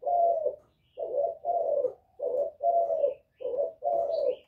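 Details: Spotted dove of the Thổ voice style calling to provoke rival males, giving broad, low coos in pairs and singles, with faint high chirps from other small birds behind.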